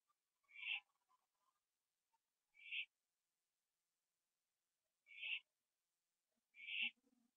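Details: Owl on a porch around 11:15 PM, 21 September 2011, finishing its gopher meal; four raspy hissing screeches spread over several seconds, with soft low rustling and tapping sounds near the end.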